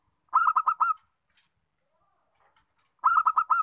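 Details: Zebra dove of a local strain, used to draw out song from other doves, gives two bursts of four or five rapid, clipped cooing notes separated by about two seconds of near silence.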